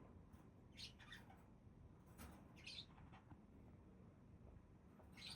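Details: Budgerigars giving scattered short, harsh squawking chirps, a few spaced notes over several seconds against a steady low background hum.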